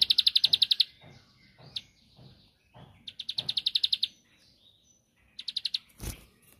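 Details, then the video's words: Bar-winged prinia, known as ciblek sawah, sings to stir a rival into responding: three short bursts of fast, sharp, high notes with soft low thumps in between and a sudden loud click near the end. "Tembakanny Ampuh Pancing Emosi Lawan //Pasti Langsung Nyaut Gacor"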